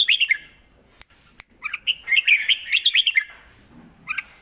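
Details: Fierce 'lak wai' style master song by a caged red-whiskered bulbul, meant for teaching young birds. Quick notes, a pause with two clicks, then a long rolling run of bright whistled syllables and one last chirp.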